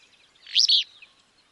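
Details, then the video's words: Willow flycatcher in Wisconsin giving one quick, sneezy two-part phrase, a burred rising note then a slurred one, high-pitched and over in under half a second; otherwise quiet. "Bird Sounds - Willow Flycatcher"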